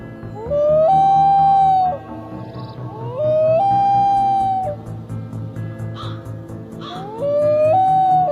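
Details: Three long, mournful loon wails, each sliding upward and then held steady for about a second, come every three seconds over a soft musical backing.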